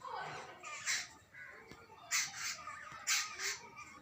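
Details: Jungle babblers, possibly babies, give harsh, rasping squeaks in about five short bursts over four seconds, with a faint murmur underneath.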